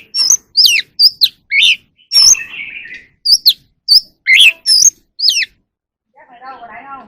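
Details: Wild oriental magpie-robin singing and dancing in the evening: a string of sharp, varied whistled notes, many sweeping down steeply, with a short buzzy burst midway, then a softer, lower chattering call at the end.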